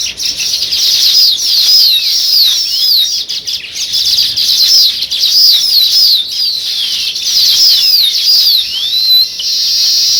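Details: Sparrows keep up a steady, lively chorus of high, overlapping chirps with rapid up-and-down tweeting notes that run without pause throughout.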